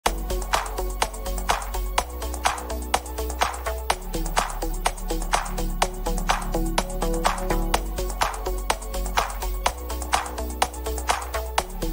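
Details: Electronic dance music with a steady thumping beat and deep bass, and no animal voice anywhere.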